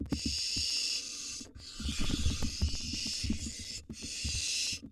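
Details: Wild barn owl nestlings in a monitored nest box during a feeding frenzy, a mouse dropped as prey: harsh, breathy hissing screeches about a second long, separated by short gaps, over scratching and shuffling thumps.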